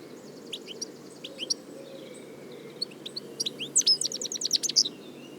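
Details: European goldfinch, locally called Arous al-Turkman and Taqtaq Shouk, singing in the wild: scattered high tinkling notes at first, building into a dense run of bright twittering and quick chirps in the last two seconds over a low steady hum.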